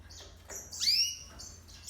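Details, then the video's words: Hybrid of yellow-fronted canary and domestic canary singing; a short phrase of high, clear notes including a bright upward-sliding whistle followed by brief sustained tones, with low background hum. "Serinus mozambicus x Canary هجين ياسمين موزمبيق"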